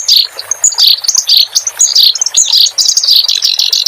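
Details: Master song of a clamorous reed warbler for tutoring caged songbirds. Quick bursts of scratchy, slurred chirps and squeaky notes tumble out in short overlapping phrases with barely a gap.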